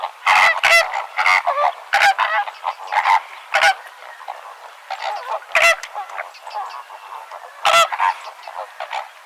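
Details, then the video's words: Flamingos in a flock trading loud nasal honks. Harsh bursts come in quick clusters during the first four seconds, then sparser strong honks near five and a half and seven and a half seconds over a softer background chatter. "SONIDO DE FLAMENCO"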